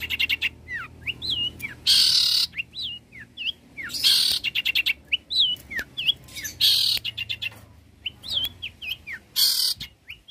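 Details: Long-tailed shrike song for training other birds, a mimic: wavering whistled phrases alternating with loud harsh rasping bursts and fast rattling note series.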